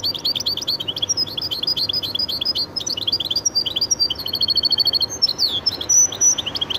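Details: Goldfinch × canary hybrid singing a fast run of high, bright chirped notes that shift into a rapid trilled series and sharp whistled slurs, almost without pause.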